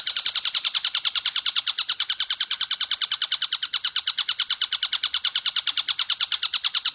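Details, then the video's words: Long-tailed shrike song for training other birds: a continuous, rapid, grating chatter of many evenly repeated notes, around nine per second, level and unbroken. Nothing else is heard. "Tengkek Buto suara jernih speed panjang plus jeda"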